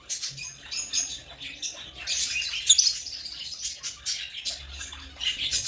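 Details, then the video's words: African lovebirds chattering in a dense, continuous stream of shrill, high chirps, with one sharper burst of squeaks near the middle. "African love birds chirping sound"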